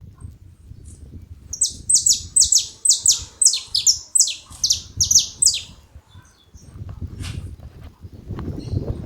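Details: Saffron finch singing in a rural setting: a fast series of about twelve high, downward-sweeping metallic notes over roughly four seconds, with low rumbling background noise before and after.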